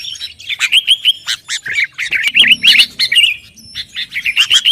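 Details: Sooty-headed bulbul singing energetically as bait to provoke rivals: a string of short, bubbly, wavering phrases with crisp clicks between them, some brief whistled notes.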